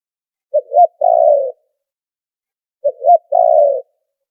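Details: Spotted dove lure call used for trapping, noise-filtered: two three-part coos about two seconds apart, each a short low note, a rising note, then a long buzzy coo sliding slightly downward, with silence between.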